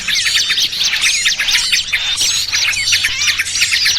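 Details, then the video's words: Lure recording for trapping small birds, a noisy trucukan mixed with burcil kejepit from Indonesia: many high chirps, squeaky notes and quick trilled bursts crowd together continuously, loud and unbroken. "Suara Pikat Burung Kecil Paling Ampuh!! trucukan ribut kombinasi BURCIL KEJEPIT"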